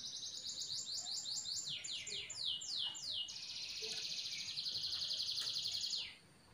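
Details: Atlantic canary hen calling her mate to prompt his singing: quick high falling notes repeated several times, then a long buzzy rattling trill, ending in a faint hiss against a steady background noise.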